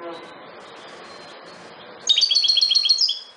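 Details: Wild European goldfinch (Carduelis carduelis parva) bursts into a quick, bright, tinkling twitter of high liquid notes, about eight a second, after a faint low murmur like distant voices.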